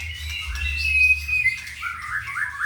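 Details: A ringed caged white-rumped shama from Purworejo, with a 31 cm red tail, sings sustained whistled notes that slide into shorter warbled phrases over a steady low hum.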